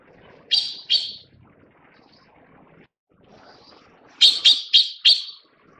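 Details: Taiwan blue magpies while feeding chicks: two high, rasping notes, a pause, then a rapid run of four harsh, buzzy notes.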